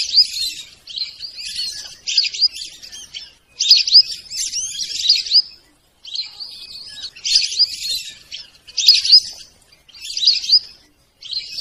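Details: Sarail bird giving rapid high-pitched chirps and twitters in phrases of one to two seconds, repeated with short gaps; no other clear sounds.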